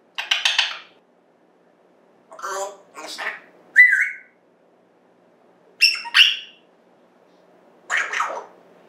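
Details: Talking pet African grey parrot indoors, September 14th, 2024: harsh raspy word-like bursts, a short falling whistle, and squawky mimicked syllables separated by short pauses.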